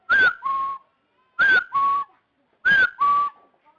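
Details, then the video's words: Rufous-throated partridge whistling for use as a bait call: three evenly spaced double notes, the first short and rising then falling, the second lower, flat and slightly longer. "Tiếng gà sò họng hung bẫy mồi"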